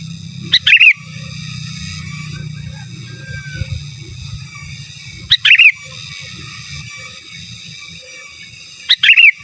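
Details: Sooty-headed bulbul singing in gacor style, described as giras and menggaruda, for use as a master song: a short bright phrase of a high note then quick slurred warbling notes, heard three times about every 3.5 seconds over a low steady hum.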